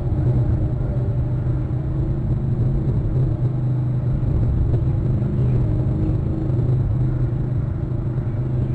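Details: Steady, heavy low engine rumble like a passing or idling vehicle fills the recording, with no animal calls.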